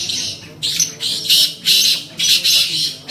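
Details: Black francolin (kala tetar) calling in the UK: harsh, hissy, grating bursts repeated roughly every half second in an uneven series, with brief quieter gaps between notes.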